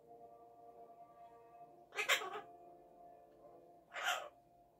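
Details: Illiger's macaw (Primolius maracana), a blue-winged macaw, gives two harsh, raspy squawks about two seconds apart over a steady low humming background.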